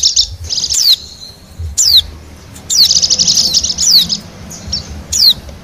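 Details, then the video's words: High, buzzy twittering of a wild Bali white-eye used for luring birds: rattling note-runs and steep falling whistles, with a thin sustained tone after the first phrase. "suara pikat dan pancingan bunyi burung pleci bali liar"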